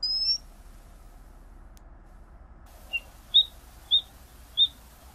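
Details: Tricolored munia (Lonchura malacca) calling: a thin high note, then four short, sharp high chirps spaced about half a second apart after a brief pause, against a quiet background.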